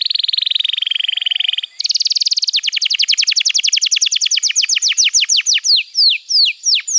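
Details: A buzzy low trill jumps to a brighter, higher trill, then to a rapid tumbling series of falling notes that slow into spaced, sweeping whistles. Canary song meant to tutor young birds and spark singing in silent ones.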